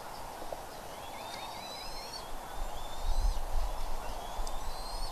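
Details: Bald eagles at their Redding nest, 25 April 2021 at 07:00: a wavering, quavering whistled series followed by longer rising piped notes with harmonics, while low rumbling noise swells midway.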